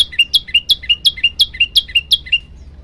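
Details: Olive-backed tailorbird song for training other birds: a rhythmic series of about eleven high, downslurred two-part chips, fading out at the end.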